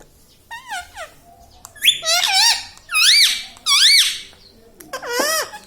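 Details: Talking pet rose-ringed parakeet indoors. Series of loud, high, nasal squeaky phrases, each arching up then down, about five bursts in quick succession in a small room.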